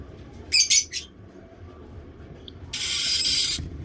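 A week-old cockatiel chick gives harsh, hissing rasps: two quick bursts, then one longer wheezy call.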